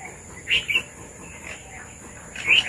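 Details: Red-vented bulbuls come to eat papaya in a Sri Lankan village; a few short bright chirps near the start, then quiet, then another sharp chirp at the end, steady high hiss behind.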